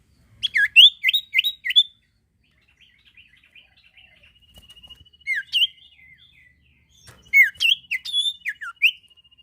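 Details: Sirtu bird singing, meant to coax other birds into song: quick series of clear falling whistles, a softer thin trill, then another burst of bright downslurred notes.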